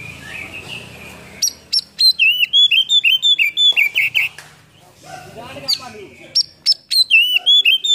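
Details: Oriental magpie-robin in full mimicry-filled song, tail spread cobra-style, a lure recording meant to rouse quiet birds: a run of loud, clear, rising and falling whistled notes in quick bursts, with a faint low hum early on.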